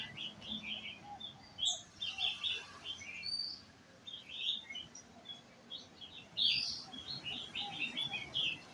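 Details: White-cheeked red-whiskered bulbul brought along to a coffee shop, singing repeated bright chirpy whistled phrases in quick succession, rising and falling notes, with faint low ambient hum.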